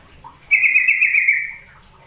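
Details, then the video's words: Sooty-headed bulbul call played as a lure to prompt singing and taming: one sustained, warbling phrase of about a second, rich and slightly wavering, fading at the end over a quiet background. "Pancingan suara trucukan agar bunyi"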